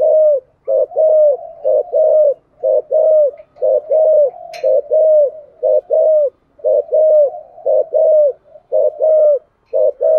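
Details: Spotted dove coo in 'giọng thổ' style for stimulating other doves to coo; ten seconds of rhythmic, evenly spaced deep coos, short and long arched notes repeated about once a second, with one sharp tap midway.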